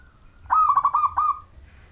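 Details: Majapahit-strain zebra dove of local wild stock in full song, a lure for other zebra doves: one clean phrase of rapid bubbling coos on a steady pitch, trailing into a soft fading tail.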